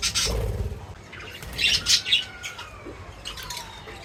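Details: Feeding birds call with quick high chirps and squeaky twitters, with a soft low thump at the start and a faint, thin rising whistle midway.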